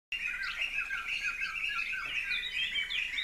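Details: Two captive Blue-crowned Laughingthrush fledglings, out of the nest since the day before, perched atop a conifer in an aviary while parents feed them; steady, dense high chirping with overlapping squeaky notes throughout.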